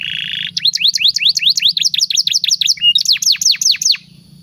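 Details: Canary song for training young birds: a short buzzy note, then repeated bright notes rising and dropping steeply about three times a second, with a brief whistle near the end.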